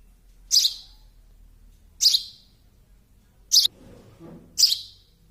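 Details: Baby sparrow repeating short, shrill, high chirps about every second and a half, four calls in all, with a soft low murmur between the last two.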